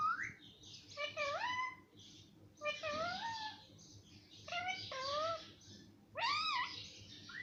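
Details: Pet parrot that talks and is said to say mummy and papa produces five bursts of voice-like sound. Each has rising and falling harmonic sweeps, and quieter rustling chatter falls between them indoors.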